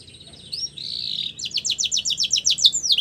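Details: A male canary sings a drawn-out wavering whistle, then a fast run of sharp downslurred notes ending in a hooked whistle; faint low background hum.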